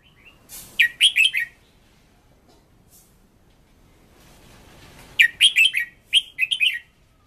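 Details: Red-whiskered bulbul used as a decoy, singing fiercely for voice training: one quick run of chirpy notes, a pause, then a longer two-part flurry of bright, bouncing syllables.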